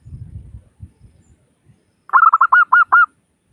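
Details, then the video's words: Local zebra dove in crystal-voice style, a lure to make other doves start calling: after a soft low rumble, one quick bout of about seven bright, staccato cooing notes, sharply repeated. "Suara Burung Perkutut Lokal Gacor Pancingan Perkutut Agar Cepat Bunyi"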